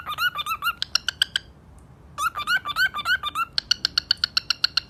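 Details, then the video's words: A macaw gives two bursts of quick, nasal squawks separated by a short pause, then ends with a fast run of sharp, clipped chips in a small room. "macaw parrot sounds"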